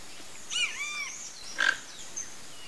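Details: One harsh, grating croak from a toco toucan flock, preceded by arching whistled notes from other birds, then quiet hiss.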